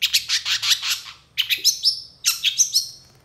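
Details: Long-tailed shrike in energetic full mimicry song, quickly agitated in response to another shrike: three bursts of rapid, harsh, buzzy notes, each burst a run of about five to seven pulses, separated by short pauses, over a faint low hum.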